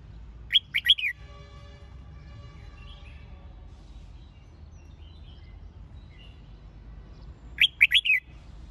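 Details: Red-whiskered bulbul trained for competitive singing, delivering two short bursts of sharp, slurred whistled notes about seven seconds apart, with faint distant chirps and a steady low hum between them.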